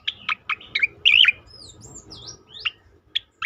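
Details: Striated grassbird in its tembakan song style, used as a training recording to provoke other birds to sing: loud, sharp chirped notes sweeping downward, repeated in quick bursts, with a short warbled phrase and faint thin whistles between.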